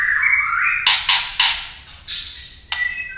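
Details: Female white-rumped shama's song meant to excite males: a rising whistle followed by three loud harsh clicks and a couple of short whistled notes.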